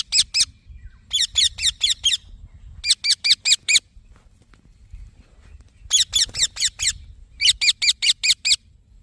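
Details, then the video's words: Green baby parrot chirping repeatedly in several bursts of five to seven harsh, high notes each, bursts separated by short pauses of quiet. "Green Baby Parrot Chirping Sounds"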